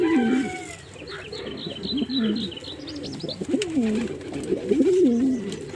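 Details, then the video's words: Repeated deep bubbling coos of a male pigeon, several wavering phrases, while a small bird twitters rapidly in the background. "Pigeon Sound Effect"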